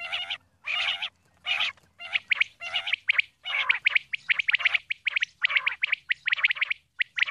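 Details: Female common quail (batair) calling: a few longer harsh bursts at first, then quicker, choppier raspy notes coming faster toward the end over a faint low drone.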